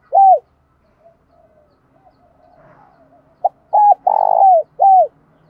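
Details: Spotted dove in giọng đồng pha thúc bổi style: one falling coo, a stretch of faint low murmuring, then a full phrase of a short note, a clean coo, a long rough pulsing downslurred coo and a last arched coo.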